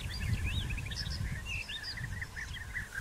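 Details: Several European bee-eaters in early June, during burrow digging, courtship feeding and copulation, give short, rolling, liquid 'prrip' notes, overlapping in quick succession, over a steady low rumble of wind or distant traffic.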